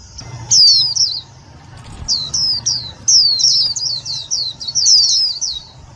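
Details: White-eye calling loudly as a lure for trapping and stimulating other white-eyes; high, thin descending chirps run in a rapid chattering series, densest in the second half, above a low hum.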